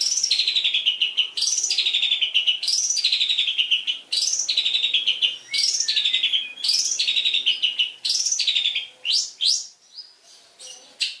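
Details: Long-tailed shrike singing full mimicked fill for training birds. A series of sweeping notes drops from high to middle pitch with a buzzy texture, repeated about every 1.3 seconds, then quicker upward whistles.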